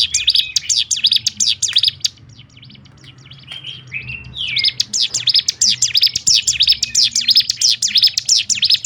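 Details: Bar-winged prinia, known locally as ciblek gunung, pouring out a fast, tight 'ngebrem' song meant to rouse other prinias: dense high chirps repeated about three a second, briefly breaking midway into a few slurred, rising notes before resuming.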